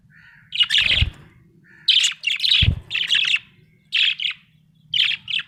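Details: Budgerigar in a happy mood chirps in a quick series of short, bright, buzzy notes, grouped in bursts about every second, with two low thuds and a faint hum.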